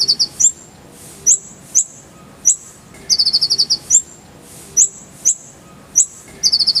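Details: Kolibri ninja (Brown-throated sunbird) recorded for training other songbirds: sharp, high single chips spaced about half a second apart, broken by quick stuttering bursts of five or six clipped notes.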